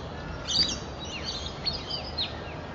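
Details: Black-faced cuckooshrike, recorded 11 August 2011, giving a few short, high, slurred chirping notes in loose bursts, over a steady background hiss.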